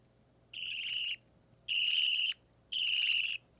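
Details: Budgerigar chick about three weeks old, an opaline or normal green bird, being hand-fed: three loud, buzzy, high begging calls, each about half a second long with brief pauses between, in a quiet indoor setting.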